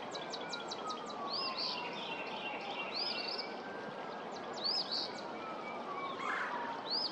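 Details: Early-season Eastern Phoebe at Pawnee Prairie Park on 23 February 2024: high arched notes repeated every second or two, a quick series of thin ticking notes at the start, and a heavy wash of background noise with a faint siren.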